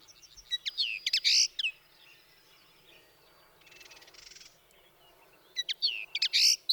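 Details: Common Linnet singing in quick, uneven bursts of high twittered and clipped notes at the start and again near the end, separated by a quieter stretch that holds a soft buzzy rattle.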